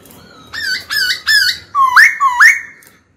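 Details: Song of a captive white-cheeked laughingthrush goading a rival to fight: five clear whistled phrases, each a short note jumping up to a higher bright tone, given about twice a second.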